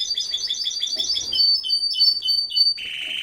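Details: Canary in a home aviary during breeding, delivering quick paired chirps. These give way to clear whistled notes repeated about twice a second, then a low buzzy roll.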